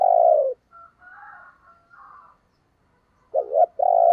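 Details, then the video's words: Spotted dove kept as a decoy to stir rival doves to coo. A full low coo opens, soft murmured notes follow, then a stuttering two-beat phrase runs into a sustained steady coo at the end. "Tiếng Chim Cu Mồi dùng Kích Bổi Hiệu Quả Mở Là Gáy"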